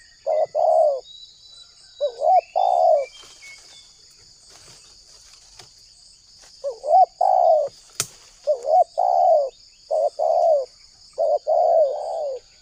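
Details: Spotted dove recording used as a lure to trap wild doves: several coo phrases of wavering short notes and longer buzzy coos, a quiet gap in the middle with faint chirps, and a sharp click near eight seconds. A thin high drone persists throughout.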